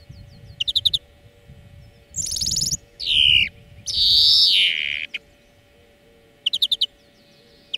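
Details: Greenfinch singing in a song lesson for training birds: short twittering trills bracket a harsh buzzing phrase and a long downslurred nasal wheeze, over low rumbling background noise.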